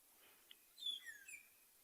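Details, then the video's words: Magpie shrike calling from a corkwood tree in front of a vehicle as a bird party moves through, Tswalu Kalahari Reserve, South Africa, at sunrise on 16 June 2020: a few short high whistled and sliding notes after a faint click. "one of the corkwood trees is just sitting up in front there is a magpie shrike. Listen to its beautiful call."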